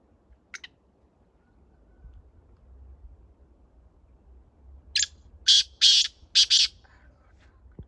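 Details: A Chinga partridge, a small-statured breed noted for frequent calling with a small voice, gives one faint short note and then, after a quiet pause, four loud harsh rasping bursts in quick succession over a low background hum.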